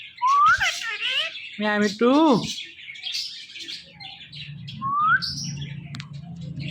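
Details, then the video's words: Talking pet parrot calling "Mithu" makes a rising whistle, then two harsh, voice-like syllables, then a later rising whistle over a low indoor hum. "Speaking Parrot Calling Mithu Mithu"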